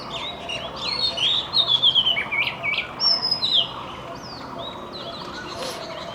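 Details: Magpie-robin singing in the morning: a run of sweet, varied whistled phrases and chirps with sliding notes, loudest in the first three and a half seconds, then fading to quieter scattered notes over a faint background hum.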